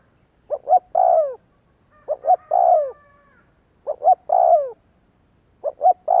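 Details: Lure recording of a spotted dove meant to trigger cooing: a steady run of phrases, two brief notes leading into a mellow falling coo, repeated about every one and a half seconds.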